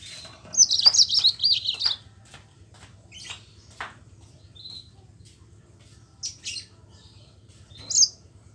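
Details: Rolling song of a yellow-fronted canary, played to coax quiet Mozambique canaries into singing: a high wavering warble lasting over a second, followed by sparse sharp chips and short whistles, with a faint low hum beneath.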